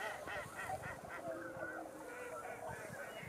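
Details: Snow geese arriving after dark on 24 November: a clamor of short, nasal, barking honks from a large flock, repeated rapidly and overlapping, with a steady low background hum.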